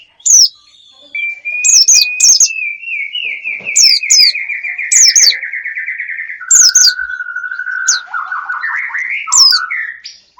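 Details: Lure for wild birds: a long, slowly wavering, buzzy whistled trill that drifts downward, punctuated by brief high chirp bursts, rising again at the end.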